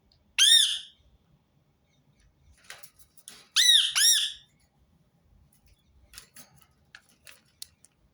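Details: One shrill screech from a Rose-ringed parakeet, then a quiet stretch with soft ticking, then a loud doubled screech and faint clicks afterward.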